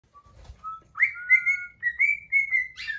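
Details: Male pet cockatiel singing with gusto while striking a wing-lifting pose: a short steady whistle, then longer clear sustained whistles around one pitch, some gliding and slurred, in a phrase ending with a harsher burst.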